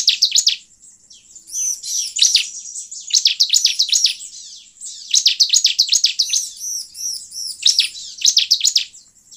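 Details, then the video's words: Bar-winged prinia singing, played as a lure to attract wild birds; rapid trills of high sharp chirps come in repeated bursts, mixed with arched, ringing whistled notes between phrases. "Pancingan ciblek ini sangat efektif untuk memancing ciblek gacor"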